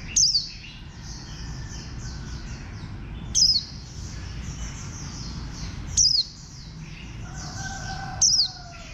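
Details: Four sharp, high descending chirps from a warbling white-eye, spaced about two to three seconds apart, over steady background hiss and faint twittering.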